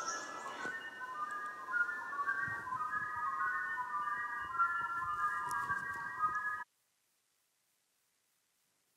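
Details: A lyrebird in New South Wales copying a flute, a song heard across New England and the North Coast: smooth, pure, whistled phrases sliding up and down in the middle range for about seven seconds, then silence.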